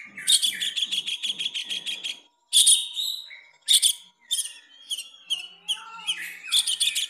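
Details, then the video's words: A long-tailed shrike performs, having learned another bird's song, giving a varied mimicking song: a quick run of harsh chattering notes, about four a second, then scratchy bursts and clear whistles, over a faint steady hum. "Burung pentet isian kapas tembak lagi manggung"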